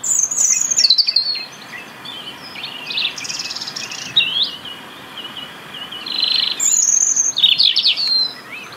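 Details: European robin singing in the UK to hold a winter territory: thin, high, sweeping whistled phrases, some falling, others wavering, separated by short pauses, with a few bright jangling notes mixed in.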